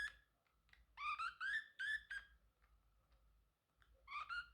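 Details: Male Pacific parrotlet kept as a pet, singing, chirping and talking: short bursts of bright, rising, harmonic-rich chirps around the one-, two- and four-second marks, with quiet pauses between them.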